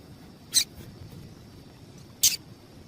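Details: Female Double-collared seedeater call, used by breeders to stir up and stimulate males for singing tournaments; two short, sharp, very high chips about 1.7 seconds apart over a faint steady hiss.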